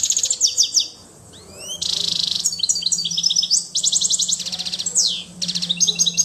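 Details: Singing European goldfinch associated with Quetta delivers a lively, nearly continuous medley of high tinkling notes, rapid buzzy trills and swept whistles, broken by a one-second pause, with a low steady hum underneath.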